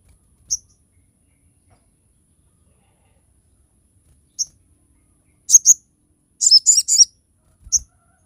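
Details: Crested jay in full song for tutoring and luring other birds: isolated piercing high chips separated by long silences, one strong doubled note, then a short raspy buzzing cluster and a last chip.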